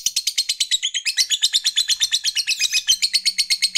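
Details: Lovebird fighter in full ngekek, a chattering song played to excite rival males: quick, evenly spaced high rasping notes, about three per second, with a faint low hum near the end.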